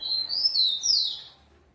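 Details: Rufous-collared sparrow bred in captivity, described as very fast, gives one clear whistled phrase. Sweet notes slide up and down, then the phrase fades out quickly.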